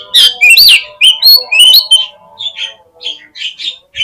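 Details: Song of an Oriental magpie-robin used as a lure to draw quick answers and tail spreading: loud shrill whistles and swooping notes for two seconds, then softer, evenly spaced chirps continuing.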